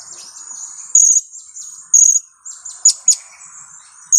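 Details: Kiak calls of a two-week-old young blue-crowned hanging parrot used as a lure: thin, piercing high notes, single or paired, scattered over a faint steady high hiss, roughly one per second.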